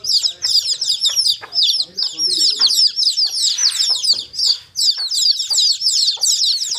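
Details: Several chicks peeping shrilly in high, quick notes, the chorus dipping briefly in places, with soft rustling and tapping in the background.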